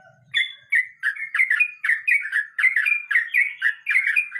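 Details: Sooty-headed bulbul in 'ngeroll mbonang' style: after a faint low sound, a short whistle opens a quick, bubbling sequence of paired chirps, repeated nearly twice per second without pause.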